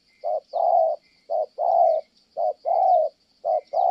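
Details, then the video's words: Spotted dove from Kon Tum, Vietnam, in steady 'thổ' cooing: four phrases, each a brief note then a longer rich coo, evenly spaced about a second apart, with a faint high insect hum. "Thổ Âm Tốt, đang gù ngon thì mái phá đám"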